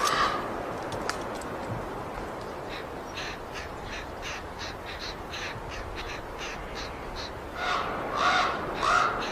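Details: Common Raven chicks in a nest high in a tree in Yellowstone, begging as a climber reaches them, giving rapid, harsh, raspy calls about one and a half per second, with a few louder hoarse squawks near the end.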